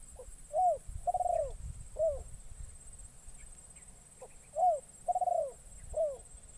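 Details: Trained decoy spotted dove calling in forest on its first outing to attract wild doves. Two repeated phrases of low soft coos, each with a short note, arched coos and one longer rolling coo. A constant high whine is in the background.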